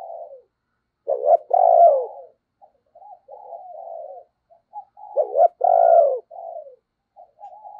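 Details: Spotted dove, a captive decoy bird cooing to lure and excite wild doves: low, hollow coos in a repeated phrase, a loud accented double coo followed by softer trailing notes, the phrase repeating after about four seconds.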